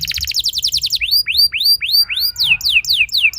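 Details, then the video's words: Canary singing in a training lure: a quick buzzy trill gives way to loud upward-sweeping whistles spaced evenly, then several downward-swept notes. "Seketika Burung Kenari Lain Ikut Gacor Ngeroll Panjang! Pancingan Ampuh Kenari Paud"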